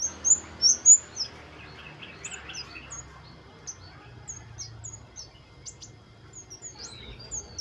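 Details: Wild flowerpecker with lively, busy song, used as a recording to prompt caged birds to sing. Very high, sharp chirps and short squeaky slurs come in quick bursts in the first second and a half, then thinner scattered high ticks over quiet background.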